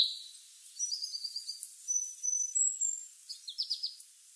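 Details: Red house finch singing under a blue sky: a lively, varied run of high warbled notes, short rapid trills and sweet rising and falling slurs, broken by brief pauses, over a faint outdoor hiss.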